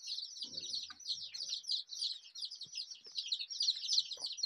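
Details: A crowd of coloured desi chicks keeps up a dense stream of high, chirping peeps, several every second. A brief low murmur sounds near the start, and faint clicks are scattered through.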